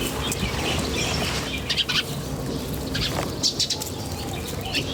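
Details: Birds chirping in nature, brief high twittering notes clustered around 1.7–2 and 3.4–3.7 seconds, set against constant low-pitched ambient rumble.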